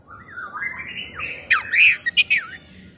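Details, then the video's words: Oriental magpie-robin lure recording meant to make a reluctant bird sing and open its tail: rising whistled warble leading into loud, sharp slurred notes and quick chirps near the end. "pancingan kacer langsung on buka ekor"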